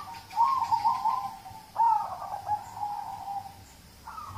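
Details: Local zebra dove song played as a prompt to get other birds singing: a staccato run of soft, bubbly coos, followed by a second rolling phrase that trails into a long, level coo and ends with a brief rising note.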